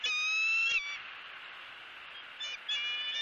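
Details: Wild adult female bald eagle at a nest in Southwest Florida screaming to greet her mate as he delivers a headless fish: one long, thin, high, harmonic-rich scream lasting under a second, then quieter calls and a further scream at the end.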